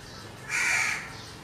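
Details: Single drawn-out rasping caw of a crow, loud and harsh, lasting about half a second against quiet background.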